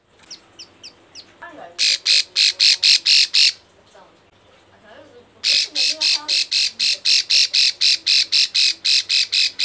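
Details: Female bar-winged prinia in breeding condition calling males: a few soft chips, then a run of loud harsh buzzy notes, about five per second. A quieter interlude with faint murmuring follows before a long second buzzy series.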